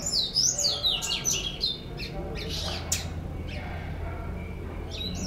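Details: White-collared seedeater, also called bico laranja or argolinha branca, kept in a cage and singing often: quick high whistled notes sweeping up and down, then quieter scattered chips over a low background hum.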